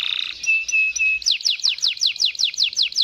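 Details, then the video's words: Waterslager canary in long rolling song: a steady high tone and short flat whistles open, then a fast, even roll of repeated downward-sweeping notes, roughly four each second. "kenari Gacor Ngerol Panjang Cengkok waterslanger"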